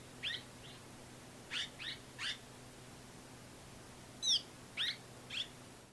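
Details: Red-rumped swallow, Córdoba, giving short, high chirping calls, singly or in quick pairs, about eight in six seconds, over a faint steady low hum.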